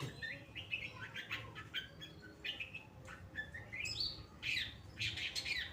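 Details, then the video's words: Sharp, vigorous long-tailed shrike song of the Pastol type, used to tutor other songbirds. Many short chirps and quick upslurred whistles follow in an uneven stream, growing louder and harsher toward the end. "Burung Cendet Pastol Gacor Dor"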